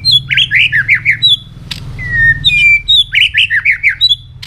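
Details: White-rumped shama song used for training a bird to sing many voices fast and hard: rapid rolling warbled phrases alternate with long pure whistles and a sharp click, repeated in bursts over a low background hum.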